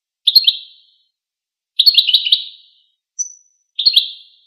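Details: Goldfinch song in short chattering phrases of rapid high notes, three bursts about a second apart with a thin pure whistle between them, background otherwise silent.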